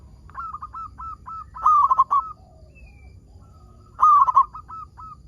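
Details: Local zebra dove from Indonesia, a frequent singer, used to coax other zebra doves into song: soft clipped coos leading into two loud, rolling, stuttered phrases about two seconds apart.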